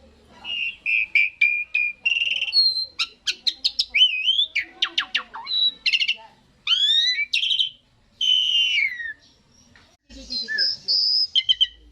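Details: Asian pied starling song, played so that other birds join in: a varied run of clear whistles, rising and falling slurs, buzzy rattles and short harsh squawks, with brief pauses between phrases.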